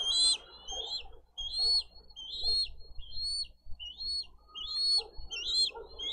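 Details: Bald eagle chick on a Dade County nest cam, 20 April 2023, asking for food while siblings compete; a run of high, slurred whistled notes, the first loudest, then evenly spaced peeps with a soft rustle beneath.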